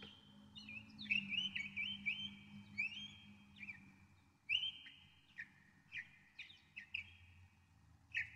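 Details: Northern mockingbird delivering a long varied song: bright slurred whistles and sharp chips, each phrase type repeated several times before a new pattern begins, with a faint low hum beneath.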